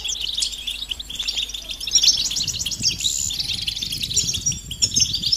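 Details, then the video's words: European goldfinches calling together, mating calls used to prompt silent males to sing: a steady wash of sharp high twitters and tinkling trills, with faint low rustling underneath. "بتبتة جماعية رهيبة لتحفيز الحسون على التغريد والهيجان"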